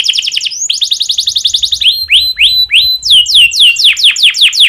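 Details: Breeding-condition domestic canary song played to get other canaries singing: rapid pulsed trill, then a tour of descending whistled swoops repeated steadily at a brisk pace.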